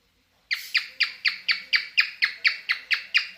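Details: Pet cockatiel in mating mood singing a run of eleven harsh, buzzy, downward-sweeping notes, evenly spaced about four to the second, strong harmonics, quiet room behind.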